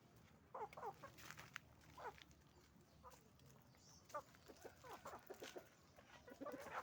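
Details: Many hens and roosters at a chicken farm calling: repeated short nasal clucks and squawks from overlapping birds, irregular bursts throughout, with a continuous low hum beneath.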